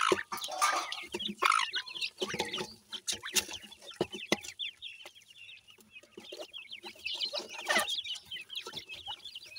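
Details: Partridge chicks kept at home with yellow pheasant chicks, pecking and searching for food. The clip is full of dense, overlapping high peeping and chirping, with short sharp clicks and rustling throughout.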